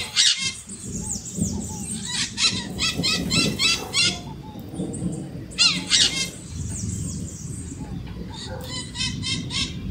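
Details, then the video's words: Maritaca parrots giving harsh, buzzy screeches in quick bursts of several notes, with a pause between flurries and a steady low rumble underneath. "Maritaca Gritando Cantando o Canto da Maritaca"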